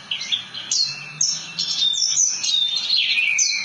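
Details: Branjangan, the Javan bush lark, pouring out a fast mix of high sharp chirps, downslurred whistles and buzzy rattles, almost without a break.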